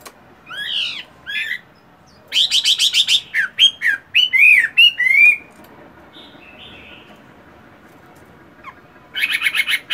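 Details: Moulting caged Chinese hwamei, a fighting bird, in morning song practice: bursts of loud warbled whistles, buzzy rattling trills and looping slurred notes, separated by brief quiet gaps.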